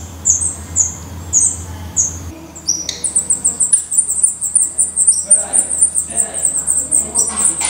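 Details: Black redstart at its nest in Portugal: a few high, thin notes with gaps, then a fast string of sharp, high-pitched calls repeated almost twice a second, with some soft lower rustling.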